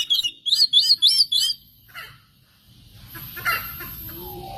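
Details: Oriental magpie-robin song used as a lure to provoke other birds: a quick run of five bright, rising-falling whistled notes, then a pause and fainter scratchy chirps over low background hiss.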